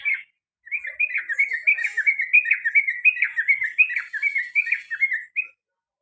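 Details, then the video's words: Caged male sooty-headed bulbul pouring out its long ropel song, repeated over and over. About twenty fluty, slurred notes run on rapidly and evenly, with a steady bubbling rhythm. "CUK CUK CUK TRUCUKAN ROPEL PANJANG DAN GARUDA BER ULANG - ULANG"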